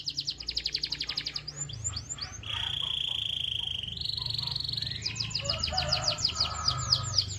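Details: Canary singing to stimulate other canaries: fast pulsed trills, a few swept whistles, a sustained steady whistled tone, then renewed rapid chirping trills over a noticeable low background hum.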